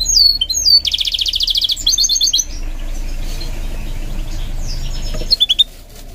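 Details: Goldfinch mule being trained to sing, delivering a fast burst of high twittering notes and a dense buzzy trill in the first seconds, then near quiet with a brief sharp twitter near the end over low background hum.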